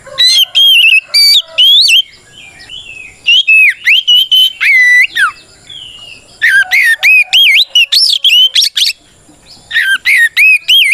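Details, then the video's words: Loud fighting-style song of a White-rumped shama, used to provoke other shamas into answering: rapid bursts of rich whistles, sweeping slurs and sharp chips in three dense bouts separated by brief pauses. "Suara Burung kacer gacor NGEPLONG tarung ini paling ampuh buat PANCINGAN KACER agar EMOSI Nyaut"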